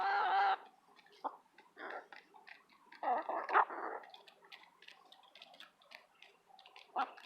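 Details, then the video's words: Eight domestic hens bickering over mealworms: a loud squawk opens, followed by softer, scattered clucks and murmurs and a few louder harsh notes, with the last near the end. "Chickens Making Funny Sounds While Eating A Treat"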